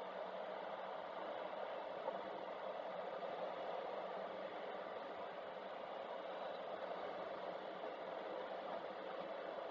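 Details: Steady broadband hiss, like engine or wind rumble, fills the whole recording at an even level, with no calls or other animal sounds.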